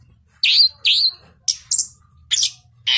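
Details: Orange-headed thrush, a captive ringed bird bred in southern Malang, Indonesia, singing in a clear voice: two loud upswept whistles, then short high, rasping bursts separated by brief silences, over a faint low hum.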